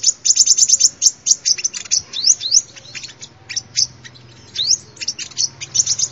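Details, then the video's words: Sunbird song used as a lure sound: rapid runs of high, sharp chirps and quick upward-slurred notes, about three per second, with brief gaps between bursts. "tiếng chim hút mật làm mồi chuẩn"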